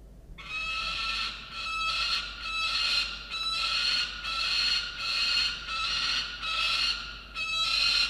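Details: At a sea eagle nest in Australia, a visiting cockatoo recorded by a live nest cam on 18 December 2022 gives a long run of harsh, grating squawks, repeated roughly every second with brief gaps, loud and raspy throughout.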